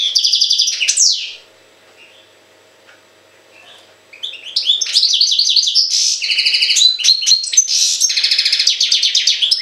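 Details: European goldfinch recorded in Jagodina, giving a liquid twittering phrase, falling silent for about three seconds, then resuming with a rapid, rich run of bright chirps, trills and nasal buzzes.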